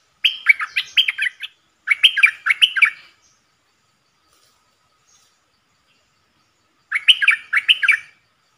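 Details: Four bulbuls used as decoys, calling in real forest, pour out busy chattering warbles in two close bursts, fall quiet for about four seconds, then deliver another short burst of similar bubbly notes.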